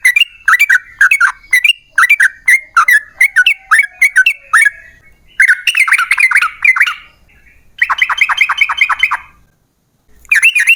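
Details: Yellow-vented bulbul in lively, long rapid-fire song used as a lure to make other bulbuls sing: bursts of bubbly, liquid chirping notes with sharp clicky edges, run together in fast series, with brief pauses around seven and ten seconds.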